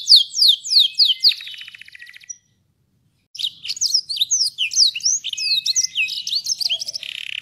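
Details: Canary in full song with a long roll style: fast descending whistled notes flowing into a dry rattling trill, a short pause, then dense chirping phrases and sweeping slurs toward the end.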